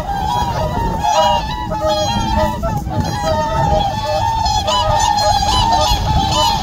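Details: Several whooper swans on a winter reservoir in the morning, returning birds nodding and calling before a fight breaks out; a chorus of bugling, nasal honks overlapping without pause, some low background rumble.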